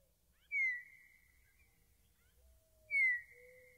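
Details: Meadowlark singing clear, pure whistles: two loud, sharply downslurred notes about two and a half seconds apart, each followed by a softer, lower, level whistle, with a faint low hum beneath.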